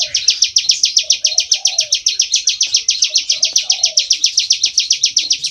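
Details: Bar-winged prinia singing in full ngebren style, an even, relentless series of sharp buzzy chirps about four per second, with quiet low cooing in the background.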